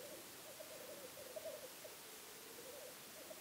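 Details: Black grouse from a weekend hide give a continuous gentle bubbling coo, rolling phrases rising and dipping, with a quiet steady background.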